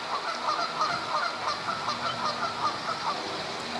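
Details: Several Canada geese in mating season, April, at Duke Farms, New Jersey, fighting over females, honk over one another with nasal two-note honks about three times a second in an uneven, overlapping chorus.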